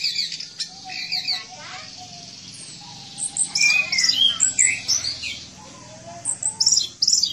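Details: Orange-headed thrush, a cage bird singing energetically for training other birds: scattered bursts of high chirps and twittering phrases separated by quieter gaps, plus a few lower whistled notes.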